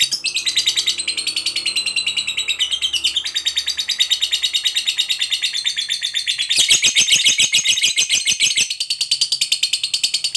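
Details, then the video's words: Fighter-type lovebird in long ngekek song, used to provoke other lovebirds into singing: an unbroken, harsh, rapid chattering trill of many fast pulses, growing louder and sharper partway through, with soft low background rumble. "Pancingan Lovebird FIGHTER Ngekek Panjang"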